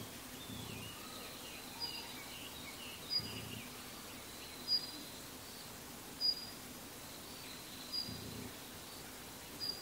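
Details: A male Daurian Redstart, filmed 1 November 2015, gives six thin, high, sharp call notes, one roughly every one and a half seconds, over a low steady background rumble.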